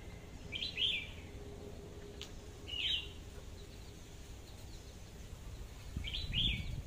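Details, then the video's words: Red-whiskered bulbul kept as a decoy bird, AK-style voice, sings three separate short sharp whistled phrases spaced about two to three seconds apart, with a faint hum and a soft knock. "tiếng hót chim chào mào mồi/sâu đầu đỏ cọp giọng AK"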